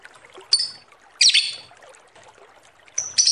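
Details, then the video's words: Lovebird calling in short, high, harsh bursts, three scratchy squeaks separated by brief silences, from a recording meant as a lure. "Suara Lovebird ngekek panjang pancingan ampuh"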